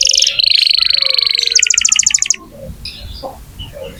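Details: Canary song for prompting young or silent canaries: sustained trilling notes and a quick rattling run lasting about two seconds, followed by quieter background noise and faint chirps.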